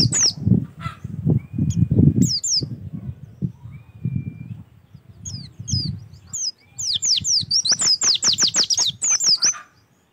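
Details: Lure recording of Oriental white-eye singing, intended to start other birds singing: scattered high whistles over heavy low thumping and rustling, then a clear rapid series of descending whistled notes near the end.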